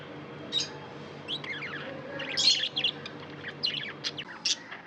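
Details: Tame budgies chirping away: rapid scratchy warbles mixed with bright high chirps and a few louder bursts, continuous chatter over a faint background hum.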